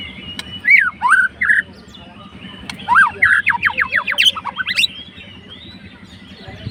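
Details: White-rumped shama, a fighter bird, singing to stir up a rival: bursts of slurred whistles, then a fast run of repeated sharp notes, with a pause between phrases and a steady low hum behind.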